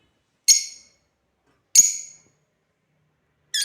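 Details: African lovebird giving two sharp, harsh high chirps about a second apart, then a third starting at the end, with silence between.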